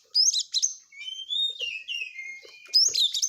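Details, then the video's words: Oriental magpie-robin giving a short sweet song phrase: sharp high chirps, then a drawn-out whistled note sliding gradually downward, ending in a burst of bright chips. "Burung Kacer Full isian Speed Rapat"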